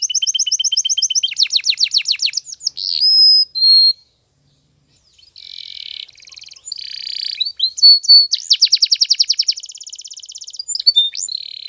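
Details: Spanish Timbrado canary training song at morning: a bright rapid trill and rolling notes, a short silent pause, then buzzy tours and a fast metallic roll with scattered high chirps.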